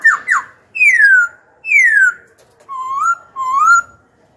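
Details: Pet Black-throated laughingthrush, young, singing to provoke rival birds and train young ones: two quick downslurred notes, two long falling whistles, then two rising whistles, each clear and well spaced.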